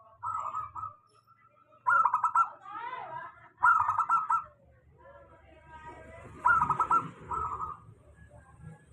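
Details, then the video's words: Local zebra dove lure song for birds that sing little: four bursts of rapid pulsed coos, interleaved with softer wavering calls and faint low noise. "suara pancingan perkutut lokal"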